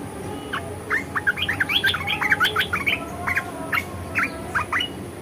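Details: ["Red-eyed bulbul song in the 'ngeriwik' and 'ngebren' styles: a lively run of short, sharp chirping notes, some rising and some falling, delivered in quick bursts over about five seconds, with a steady hum in the background."]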